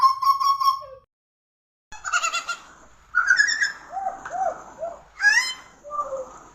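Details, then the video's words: Pied butcherbird song: a steady whistled note, a short pause, then varied fluting phrases with looping, arched notes and upward-sweeping whistles. "burung ini pemilik suara yang khas"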